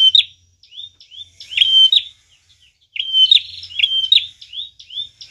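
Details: Prinia lure song: a busy run of high slurred whistles, flat piercing notes ending in clicks, and buzzy trills, with faint low rumble in the background.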